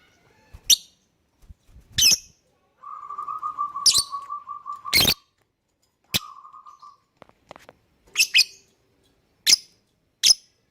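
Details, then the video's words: Lovebird chirps played to draw other birds into singing: sharp, high single chirps spaced a second or two apart, with a steady mid-pitched buzzing trill running between them. "Pancingan Burung Lovebird Bikin yang lain IKUTAN bunyi."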